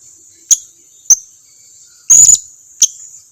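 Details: Blue-crowned hanging parrot lure used to prompt other hanging parrots to reply: short high ticking chips interspersed with one longer, louder shrill squeal near the middle.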